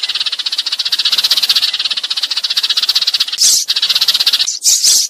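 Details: Eurasian tree sparrow calling the flock, used as a lure sound for trapping: a fast, rattling high chatter of about four notes a second, broken near the end by two louder harsh bursts.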